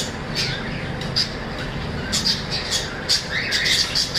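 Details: Budgerigar squawks and sharp chirps stand out in clustered bursts, several short harsh notes close together toward the end, over a faint steady background noise.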